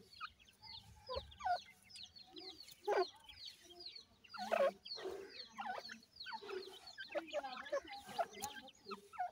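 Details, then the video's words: Reared partridge chicks feeding: dense flock of high downslurred cheeps, some hooked and repeated quickly, over faint low clucks and soft clattering of food and movement. "grey pheasant white chicks,partridge bird baby feeding time"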